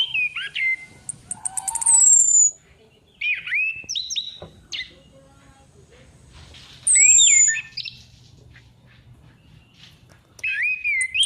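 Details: Female orange-headed thrush used as a lure, calling in irregular bursts: downslurred whistles, fast rattling ticks, high thin descending whistles and twisting warbled notes, separated by short quiet gaps.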